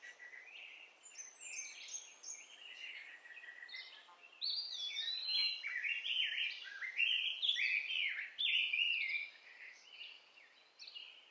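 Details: Baby sunbird rescued from a backyard and hand-fed mealworms and orange gives dense strings of sharp, high-pitched tweets and quick slurred notes, growing louder and more excited in the second half.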